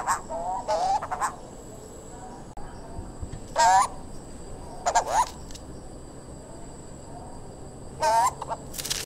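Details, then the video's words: A turquoise-browed motmot gives four harsh, nasal croaking calls at irregular intervals of two to four seconds, over a steady high insect drone. "Turquoise-browed Motmot pictures sound , call and voice"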